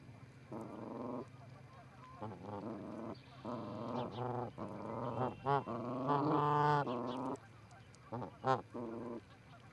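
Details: Pair of Canada geese on the Charlo, Montana osprey nest, 4-7-18, captured by a live camera: repeated honking bouts, some overlapping and rising in loudness, over low background hum.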